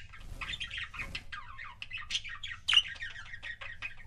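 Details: Budgerigar couples kept as pets chattering in a continuous, rapid, scratchy warble of short broken notes, with one louder sharp chirp partway through.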